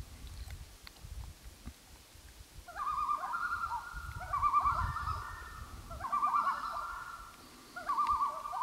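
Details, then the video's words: Loon calling on Gavia Lake, 2011, in a series of wavering, quavering phrases repeated roughly every one and a half seconds, with low rumbling background noise. "Loon on Gavia Lake"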